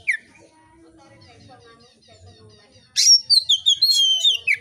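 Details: Oriental magpie-robin singing freely, a recording to lure other magpie-robins into song. A brief note opens a quiet stretch, then a loud rising sweep leads into fast whistled and warbling phrases.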